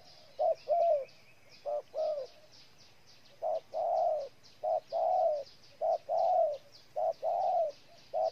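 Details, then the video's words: Spotted dove in Ninh Thuận, Vietnam, delivering a series of soft coos, short notes alternating with longer rounded ones, over faint buzzing insects and a brief wavering trill. "Cu gáy Ninh Thuận"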